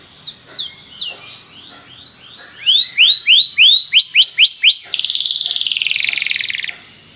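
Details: Belgian canary song to stimulate other canaries: a few soft scattered notes, then a steady series of about ten loud rising whistles, followed by a long rolling high buzzy trill before silence.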